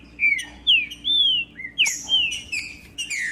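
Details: Green-winged saltator song for warming up a quiet captive bird: loud, clear whistles, one long arched note, several sharp downslurs and a short low phrase, steady hum behind.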